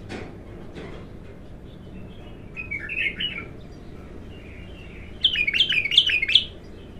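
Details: First song of an untrained bulbul: a soft warbled phrase, then a louder run of rapid descending whistled notes near the end, with some clicks early on and a low background hum.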